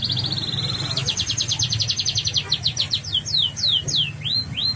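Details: Sweet-voiced yellow canary: a short buzzy trill, then a fast series of repeated notes, followed by several spaced, downward-slurred whistles; faint low hum behind the bird.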